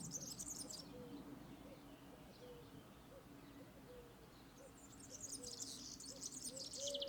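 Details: European serin (Serinus serinus), song: marking territory or attracting a female.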